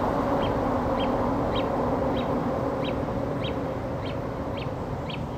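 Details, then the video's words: Great crested grebe chick at Smithpool, Fenton, giving thin, high peeping calls, about two a second in a steady series, over a constant low rumble like wind or a distant engine. "Great Crested Grebe Chick"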